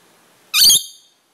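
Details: Pet red-collared lorikeet, happy and repeating words: a single loud, harsh, rasping squawk-like utterance lasting about a quarter second, rich in high overtones, then fading.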